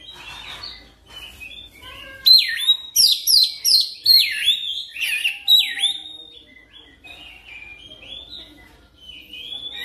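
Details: Oriental magpie-robin training lure song aimed at fast rolling singing. Soft twittering leads into a loud series of clear downslurred whistles and buzzy notes, about two per second, then tails into varied quieter whistles.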